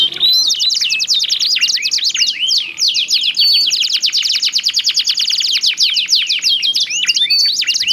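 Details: Two caged canaries answering each other with different song timbres, used to prompt other canaries to sing: fast continuous trills of steep down-sweeping notes, with rolling and whistled phrases, dense and unbroken.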